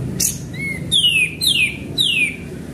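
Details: Sooty-headed bulbul in full song as a lure: a short low rising note followed by three clear, loud whistles sweeping steeply downward, about half a second apart.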